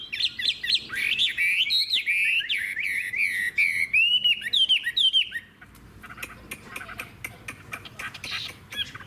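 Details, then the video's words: Wild-caught adult hwamei, long-bodied with a fig-leaf tail, delivering rapid warbling whistles with quick up-and-down slurs for about five seconds, then softer scattered notes. "Họa mi già rừng hót hay"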